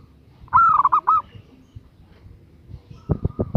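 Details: Female zebra dove calling to attract a male: a quick cooing phrase of a high opening note followed by rapid warbled beats and a final drawn note, then low knocking taps near the end.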